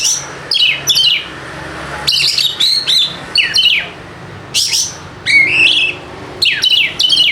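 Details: Lure for quiet birds: a White-rumped shama sings bright descending whistles mixed with harsh chattering notes, phrases arriving about every half second with slight room hum underneath.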